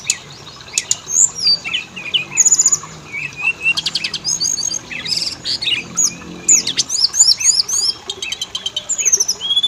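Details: Oriental magpie-robin lure recording to make both sexes sing: busy, continuous medley of chirps, buzzy trills and swooping whistles, growing denser toward the end.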